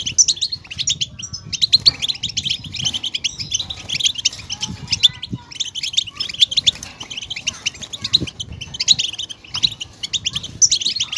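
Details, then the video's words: Song of a European goldfinch, used to rouse caged goldfinches into singing: long runs of fast, tinkling twitters and buzzy trills, in bursts separated by short gaps, with faint low knocking underneath. "افضل البتبتات لاخراج طائر الحسون من صمته"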